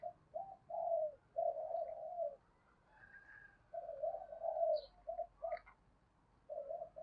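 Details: Spotted dove cooing meant to provoke fighting and lure wild birds for trapping; quieter, fuller take with a hiss of background noise, running series of low burry coos with short gaps and a faint higher chirp from another bird.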